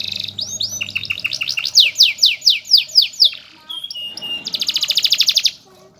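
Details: Canary singing as a song master for other canaries: a string of loud downward-swept whistles repeated about twice a second, a short pause, then a bright rapid trill.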